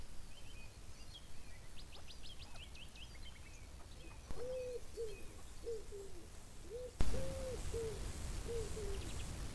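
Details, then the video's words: Chukar partridge calling with a run of short, arched, mid-pitched notes in the second half, grouped in twos and threes. Faint high chirps of other birds come earlier, and there is a soft thump near the end. "Πέρδικες / Alectoris chukar"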